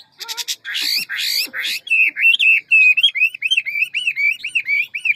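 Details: Hwamei, ngũ trường type, singing forest-style with many voices: harsh, rasping bursts open, then a long string of clear, rising-and-falling whistled notes repeated about twice a second.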